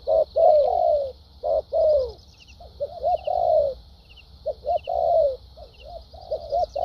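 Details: Spotted dove, wild-caught, singing with 'thúc gù' urging coos and 'lèo dặm' trailing phrases: loud falling coos, then a run of quick soft stuttered notes and more long coos, with a steady high drone and faint chirps.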